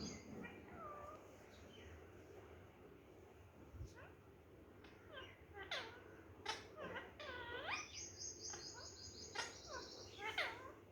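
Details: Pet parrot saying the word "mithu", a run of varied squawks and rising, warbling voice-like syllables, including a long, wavering high whistled stretch near the end.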